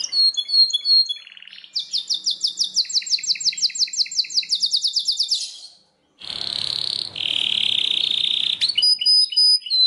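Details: Belgian canary song: chirpy opening notes, then a long rapid trill of sharp repeated syllables, a break, and a buzzy, rattling stretch ending in high whistled notes.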